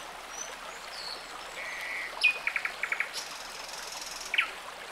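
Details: Nightingale song beside a murmuring forest stream in rural Ireland, captured on a Zoom H1N and Lumix G90: a drawn-out whistle, a buzzy trill, then several rapid repeated notes in short bursts, with running water throughout.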